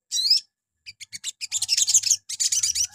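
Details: Sogon, or Crimson Sunbird, morning lure song for provoking other birds to reply: an opening wavering whistled note, then a quickening series of high chips merging into rapid twittering.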